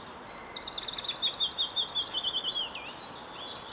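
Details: A European serin (Serinus serinus) sings in a town centre in Savitaipale, Finland, on 16 May 2012: a high, fast, jingling and buzzy stream of notes like tinkling glass, running unbroken for several seconds over faint hiss.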